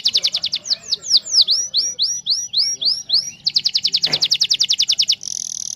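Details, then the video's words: Canary singing as a lure so other canaries answer: fast repeated high notes, a series of swooping whistled sweeps, a long rapid trill of sharp notes, ending in a thin very high buzz. "pancingan burung kenari gacor pasti balas ngoce"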